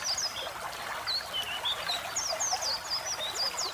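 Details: Tutor song of a white-eye with running water behind: quick, high, slurred chirps tumble in a fast twittering series, growing busier toward the end.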